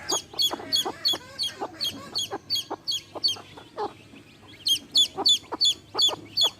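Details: Baby chicks accompanied by a hen: a run of piercing, high peeps, a short pause with softer clucking, then the rapid peeping resumes.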